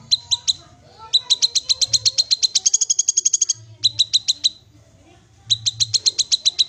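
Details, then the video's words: Black-capped babbler: bursts of quick, high, clipped notes that speed into a dense buzzy rattle, then a pause and a fresh run of evenly spaced sharp notes; faint low hum underneath. "Kinoi Bahan Langsung Bunyi Dengar Suara Call Kinoi ini"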